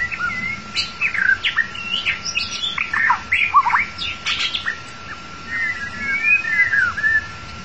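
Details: White-rumped shama, long-tailed form, singing as a lure for trapping: rich, varied whistled phrases with quick rising and falling notes, a fast warbled burst in the middle, and a steady electronic hum underneath.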